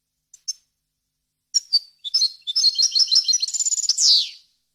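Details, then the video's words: Error-free European goldfinch song for tutoring young birds. Two soft chips, then a quick run of sharp high notes building into rapid twittering and a short trill, finishing in a loud buzzy descending slide. "غناء طائر الحسون ، صوت صافي وخالي من الاخطاء لتسميع الفراخ"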